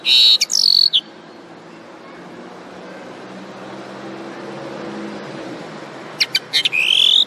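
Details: Common linnet singing in two bursts, dense high twittering notes and a rising whistled slur at the start and end, with a quiet hissy stretch between.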